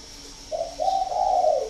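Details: Spotted dove giving a loud, clear voice: a short low coo followed by a longer drawn-out coo, mellow and even in pitch, with a steady faint hum behind.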